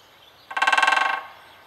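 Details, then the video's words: A great spotted woodpecker drums on a metal lamp post in Oświęcim-Kruki, Poland, 26 April 2011: a fast roll of about fifteen taps in under a second, ringing and almost horn-like. "DZIĘCIOŁ DUŻY (Stukający w latarnie!)"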